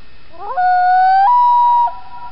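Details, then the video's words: Common loons calling on Chibiabos Lake, Algonquin Park, during an evening paddle when they were very vocal: a long, mournful wail sliding up, then stepping to a higher held note before easing slightly down, about two seconds, over quiet still air. "Loons singing"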